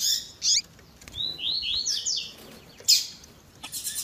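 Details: Double-collared seedeater of the tui tui zel zel style, with a female's piping call edited to stimulate a male: a high chirp, then a string of six falling, slightly buzzy notes, followed by a loud sharp chip and more high chips.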